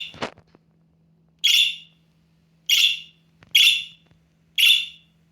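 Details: Budgerigar chick at the middle nestling stage, kept as a pet, calling for attention: loud harsh buzzy calls repeated four times about once a second after a brief click, with a faint steady hum behind.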